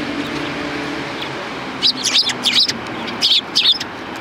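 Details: Sparrows along the main approach to a Tenmangu shrine, December 12, 2019: clustered bright chirps come in two tight bursts after a quiet start, over faint low traffic rumble.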